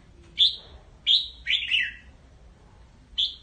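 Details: Flock-gathering calls of a red-whiskered bulbul, loud clear whistled chirps given singly and in a short descending double phrase, spaced under a second apart, with faint low hum behind.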